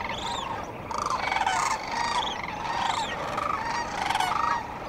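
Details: Sandhill cranes calling at dawn by the Cosumnes River: loud, rolling, rattled bugles with rich overtones, several birds overlapping in quick succession, each call lasting under a second, steady hiss behind.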